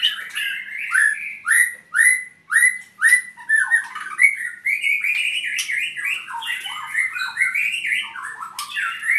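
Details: Albino white-rumped shama, a kept bird, singing a loud varied song: a regular run of bright falling whistles that shifts into a fast jumble of rising and falling notes with sharp high ticks.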